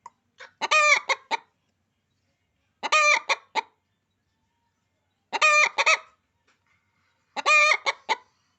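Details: Cackling of a hen: four raucous bursts of rapid, rasping clucks, spaced about two to three seconds apart.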